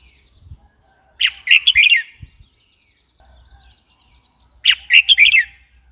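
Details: Red-whiskered bulbul repeating a lively warbled phrase of four quick chirpy notes, twice, roughly three and a half seconds apart, over light low background noise and a few soft knocks.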